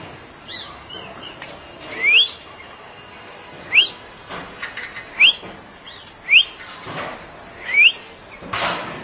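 Grey-backed shrike giving five short, sharply rising whistled chirps, about one every one and a half seconds, over soft rustling background noise.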